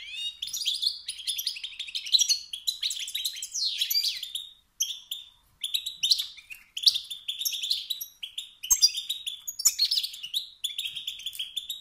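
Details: Male wild European goldfinch giving 'stit' and 'bit' calls said to spur rival males into song: bright, tinkling twitters and rising buzzy notes in quick bursts, with brief pauses near the five-second mark.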